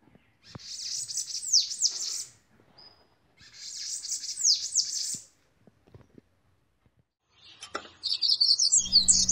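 Bananaquit song: two thin, very high, hissing-buzzy trills of about two seconds each, then a third sizzling burst begins. A faint low rumble lies underneath.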